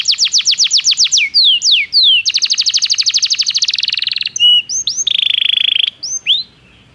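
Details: Belgian canary singing as training for canaries. Rapid falling notes lead into slurred whistles, a long fast rattle that slows slightly, then short high chips and a sustained buzzy trill ending in single upswept notes.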